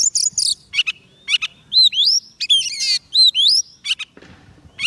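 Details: White-rumped shama song for luring wild birds: dense high chips, upward-sweeping whistles and buzzy trills in quick succession, with a brief soft rustle near the end.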